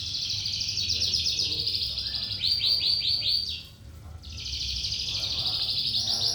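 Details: Lark in full 'trotolan' song, pouring out rapid, chattering high notes. A run of sharp, rising, ringing trills follows, then a short pause before the fast buzzy chatter resumes over low background hum.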